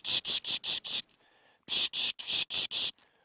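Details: Savi's Warbler singing from dry reeds about 10 ft away, a dry, high, cricket- or mole-cricket-like vibrating buzzing reel in rapid pulsed bursts.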